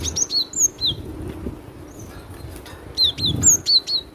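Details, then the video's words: Loud song of a cinereous tit (glatik batu): clear high whistled notes, each sliding downward, delivered in quick bursts with short pauses, over faint low background rumble. "Suara lantang burung glatik batu"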